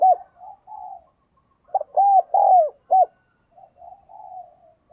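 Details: Spotted dove kept as a lure bird, cooing and calling to draw wild doves: clear low hooting coos in quick irregular bursts, a few sharp rising-falling notes mid-clip with softer drawn-out coos before and after; no other sounds.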